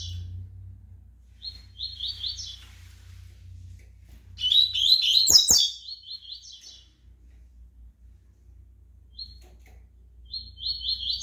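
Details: Pardo Double-collared Seedeater singing: short high buzzy trilled phrases, then a louder, richer burst of warbled notes with two sharp clicks, followed by quiet and a closing trilled phrase; low hum underneath.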